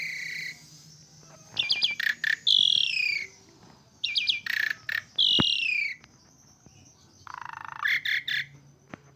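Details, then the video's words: Asian pied starling singing: buzzy harsh bursts and clear descending whistles in two main phrases, then a rasping buzz, with a faint steady hum behind. "Jalak Suren Gacor"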